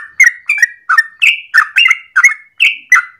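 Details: Yellow-vented bulbul singing a long morning song, used as a lure or master for training birds: bubbly, gurgling phrases of warbled notes repeated about three times a second, each with a bright rising or falling slur.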